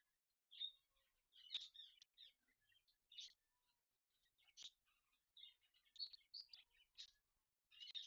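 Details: Indian ringneck parakeets in the morning at mating time, giving bursts of shrill squeaks and chattering notes at irregular intervals, with short sharp clicks between, against near silence.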